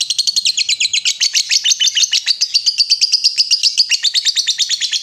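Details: Vocal lovebird delivering a long ngekek, used to make other lovebirds answer: a continuous, rapid, buzzy, high chatter of even pulses, several per second, lasting the whole five seconds without pause.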